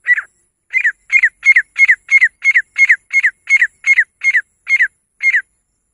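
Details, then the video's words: A female grey francolin repeats a doubled, rasping, falling note roughly three times a second for several seconds, a call prized by partridge hunters, with a quiet background. "Best female teetar ki awaaz grey francolin voice"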